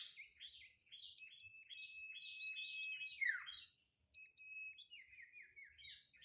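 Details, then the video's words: Sirtu singing energetically, used as a lure to set other birds singing: rapid repeated high chirps, about three or four per second, with sustained thin whistles, a loud downward sweep near the middle, then more chirping after a short pause. "sirtu gacor"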